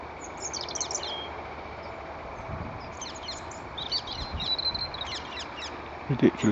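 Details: A great grey shrike at Stone Lees on 20 October gives short, high chirps and brief whistled notes in scattered bursts over steady outdoor noise, with a man's voice heard briefly.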